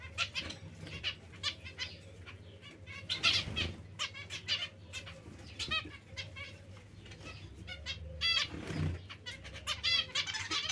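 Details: Zebra finch calling: rapid series of short, nasal, stacked notes, some in quick bursts, with bouts of wing flutter and a constant low background hum throughout.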